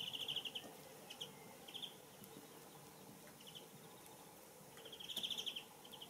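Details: Blackstart feeding on a caterpillar near Mitzpe Ramon, Israel, gives short, high, buzzy trilled notes, repeated irregularly about every second or so, over a faint steady hiss.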